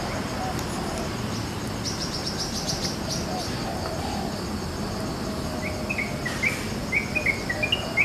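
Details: Wild yellow-vented bulbul in village countryside in the morning, giving a burst of thin high chirps, then a bubbly run of short, chuckling mid-pitched notes near the end, over a steady hiss of insects.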